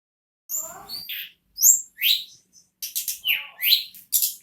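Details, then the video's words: Ashy tailorbird, known locally as tledekan or sulingan gunung, sings in the steady nagen ngerol style: high whistled and buzzy notes in short bursts, some rising sharply, a few lower chattering phrases, with brief pauses between. "Burung Tledekan / Sulingan Gunung Nagen Ngerol Non Stop"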